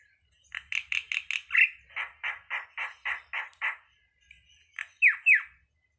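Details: Starling (burung jalak) song delivered in a forest-child style: bursts of four to six harsh rasping notes in quick rows, with pauses, then two loud sliding whistles near the end.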